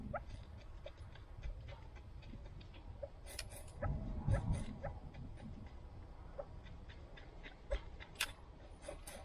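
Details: Several kept chukar partridges chatter with rapid short ticking notes, about two a second, mixed with sharp clicks and a brief low rumble.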